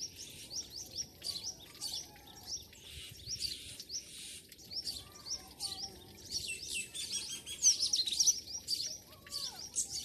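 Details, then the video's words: A morning chorus of several birds in a Pakistani village gives high, thin chirps and trills repeated irregularly, about two a second, with quieter lower whistles beneath. "morning sound of nature and birds"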